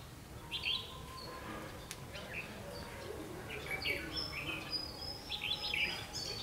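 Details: Red-whiskered bulbul singing during a trapping session on 31 October 2016, short bright warbled phrases rising and falling, spaced a second or two apart, over a steady background hiss with faint voices.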